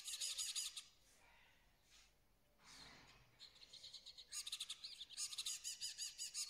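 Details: Moroccan starling with rapid bursts of dense, scratchy high chatter, broken by a quieter gap and then resuming in fast repeated clicking notes.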